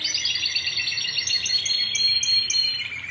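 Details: Timbrado canary song from a competition team bird line, 2009: dense rolling trills between mid and high pitch, a steady warbling stream with brief higher whistled notes breaking through near the end.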